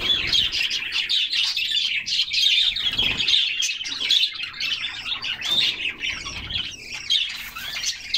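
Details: Canaries in a group, singing while they splash in a cool summer bath: continuous high twittering and rapid chirps, with short whistled notes scattered through and soft low splashing sounds beneath.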